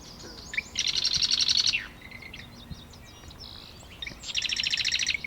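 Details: A presumed male marsh wren sings near nests in a wetland pond at Taquanyah Conservation Area near Cayuga, Ontario: two rapid, buzzy, rattling trills, each preceded by ticking notes, with soft chips between; another sings across the pond.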